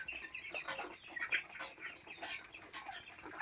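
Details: Flock of four-week-old chicks peeping at a farm, many short high chirps crowding together without pause, some brief clicks and scratchy noises mixed in.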